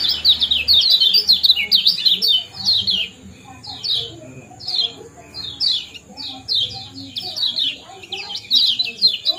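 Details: Lively kecial kuning ciak jos phrases used as a lure to stir breeding condition: rapid runs of sharp, high, descending chirps, quick and loud at first, then spaced into short groups.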